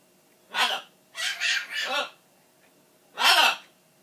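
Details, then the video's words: House macaw yelling 'Buh bye!' in a tantrum when it thinks its owner is going. One hoarse shout, a rapid three-part harsh phrase like spoken syllables, then a final loud raspy yell, all with rich stacked harmonics. "Macaw, Milo, yelling "Buh bye!!", giving kisses, and talkin"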